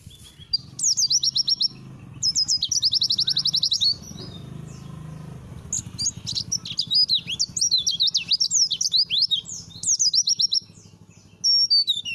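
A white-eye sings fast, high, sweet trills and chattering runs of sliding notes, broken by brief pauses, over a faint low hum.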